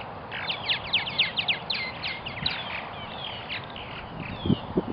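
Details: Purple martins at a nesting colony in Melbourne, Florida, giving quick runs of chirps and gurgling notes during the first half, then fewer, softer calls, with a few low knocks near the end.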